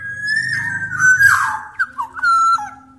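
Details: Big-bodied oriole from Sumbawa singing as a tutor for other orioles: a long level whistle melting into a hoarse slurred note, then short clear fluted phrases, over a steady low droning hum.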